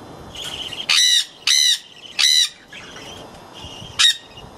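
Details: Jenday conures screaming: loud, harsh, rasping shrieks in a burst of three at roughly half-second spacing, followed by quieter chatter and one final sharp scream; steady faint background hiss.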